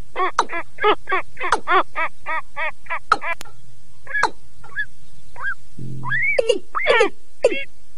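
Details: Calling rail pair, male and female, used as a loudspeaker lure in 2022; a fast series of harsh nasal grunts gives way to short rising whistles and a closing burst of rasping notes.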